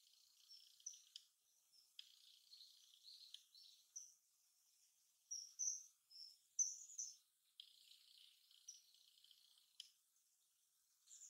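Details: Common kingfisher in Nishikyo Ward, Kyoto, whose song is a continuous run of notes often given in flight; a series of high, shrill piping whistles in bursts with short pauses, rather rough and unmusical.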